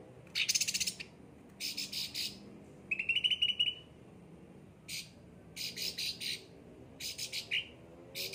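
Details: Caged cucak ranting singing in a well-kept, lively state: harsh buzzy bursts alternate with a short bright trill, phrases spaced about a second apart.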